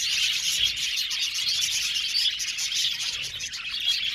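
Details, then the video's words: A crowd of budgies keeps up constant high-pitched chirping, with rapid tweets and scratchy warbles layered over one another at a steady level. "Beautiful budgies chirping sound"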